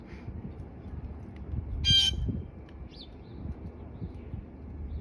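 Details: Blue jay giving an unusual call: one brief, harsh, raspy burst midway, followed a second later by a faint thin high chirp, over steady low rumbling background noise.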